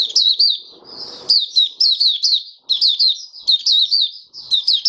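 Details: Caged oriental white-eye (Mata Puteh Raja) giving open song five days after monthly deworming, dated 20 January 2022. Dense, lively series of high, sharp, downslurred chirps in rapid groups, with a brief soft rustle early on.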